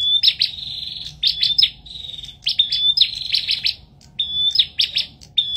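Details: Bar-winged prinia singing loudly, bursts of sharp buzzy trills broken by long thin steady whistles, phrases repeated about every second with brief pauses.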